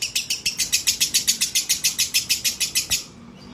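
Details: Female lovebird singing at sunset: a quick series of shrill, grating chirps about three to four a second, stopping abruptly after three seconds and leaving quiet background.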